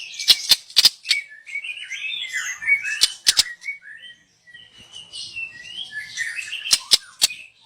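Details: Young wild white-rumped shama from the forest, its song used as a lure: varied warbling and whistled phrases interrupted by sharp clicking snaps in clusters.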